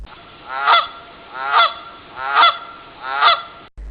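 Canada goose giving four loud, nasal honks, each rising then falling, spaced under a second apart against a quiet background.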